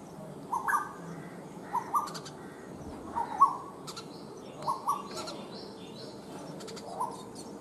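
Asian koel giving a loud, rising two-note ko-el, repeated about every one and a half seconds, with thin chirps from other small birds behind.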